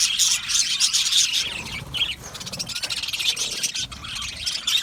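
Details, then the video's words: Australian budgerigar colony in an aviary: bursts of rapid chirping and chattering that briefly ease off, then build again into dense overlapping tweets. "Australian Budgie bird colony sound | Budgie natural sound | Budgie parrot chirping sounds"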